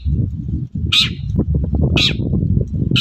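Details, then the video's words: Long-tailed shrike giving rough, grating calls in the morning as a lure for other shrikes. Two clear bursts about a second apart, a third begins at the end, over a dense low hum. "BURUNG CENDET GACOR PAGI HARI BIKIN CENDET MANAPUN LANGSUNG NYAUT"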